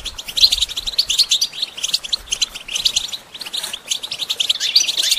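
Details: Goldfinch song played to train songbirds: continuous rapid twittering and chattering, bright metallic notes tumbling together without pause, briefly softer around the middle.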